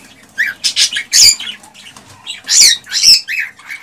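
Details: Cockatiel singing to prompt a female to mate and breed: scratchy, harmonic chirps and squawks rising in intensity, loud bursts with brief whistled inflections over a faint low background hum.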